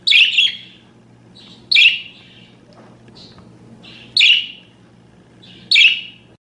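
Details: Pet budgerigar chirps meant for tutoring other birds: loud rasping chirps, some doubled, arriving at uneven gaps of one to two seconds, with softer chatter between them and a steady low hum.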